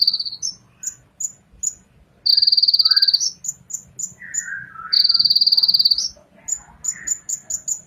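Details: Song of a Ninja sunbird. Bursts of very high, fast, rattling trill alternate with short sharp whistled notes and a few lower slurred chirps.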